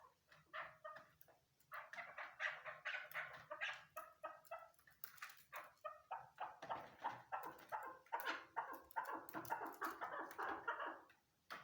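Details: A female Chukar partridge calls in a lengthy, slightly quieter run of scratchy clucks, rising in intensity and tempo toward the end before stopping.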